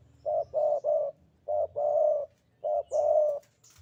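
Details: Javan spotted dove, a frequent singer, delivering rapid sandungan kuk-kuk phrases: short hollow notes each followed by a longer warm coo, repeated three times in under four seconds. A faint higher chirp sounds near the end.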